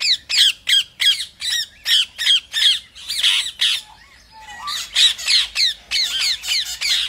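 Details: Pet rose-ringed parakeets, which the owner says want food, give harsh, high, grating screeches about three times a second, then a brief pause with a few softer notes midway before the rapid screeching resumes.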